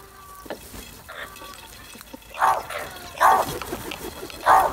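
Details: Loud calls from crows competing for food, three harsh, hoarse caws spaced about a second apart and rising in strength, over quiet background rustling and faint distant sounds.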